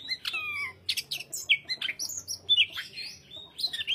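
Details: Greater green leafbird singing a varied sequence of sharp whistled slurs, descending sweeps and short chattering bursts, phrases repeated in quick succession over a faint low hum.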